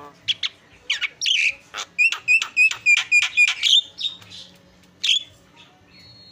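A Javan myna sings a fast run of sharp, upward-flicked whistled notes, about four a second, broken by harsh chattering bursts.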